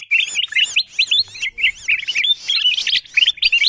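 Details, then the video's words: Bulbul lure call meant to attract wild kutilang emas: dense bursts of sharp, upward-flicking chirps, several per second, overlapping in a busy chattering stream. "Suara pikat kutilang emas memanggil burung liar paling ampuh"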